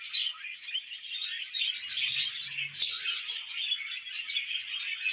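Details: Budgerigars twittering in a continuous high warble of mixed squeaks and buzzy chirps, with a short low rumble midway beneath the birds.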